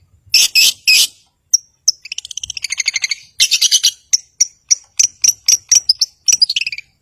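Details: Long-tailed shrike in lively song to provoke rivals and silent birds: three harsh rasping bursts, a thin whistle, a rapid rattling trill, more scratchy phrases and a run of sharp high notes ending in a falling slur.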